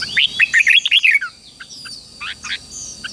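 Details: Red-whiskered bulbul morning song used to train newly caught birds and provoke competitive singing: a fast burst of about eight loud, warbled, rising-falling whistles in the first second, then softer scattered chirps over a steady high electronic tone.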